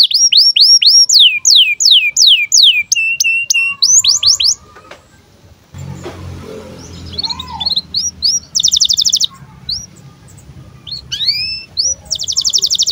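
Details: Canary birahi chirps for tutoring young canaries: rapid sweeping whistled notes at first, then a quieter stretch with low rumble, followed by short buzzy trills and scattered chirps.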